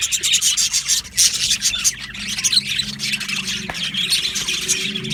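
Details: Budgies of an Australian aviary colony chirping during breeding and mating: continuous shrill chatter and scratchy twitters from many birds, a soft low hum beneath and one sharp click.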